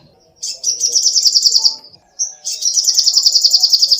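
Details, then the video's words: Sogoh ontong, or little spiderhunter, in energetic song used to tutor caged songbirds: a quick trill of high sharp notes, a short pause with a single whistle, then a longer, even run of rapid chips. "SUARA BURUNG SOGOH ONTONG GACOR"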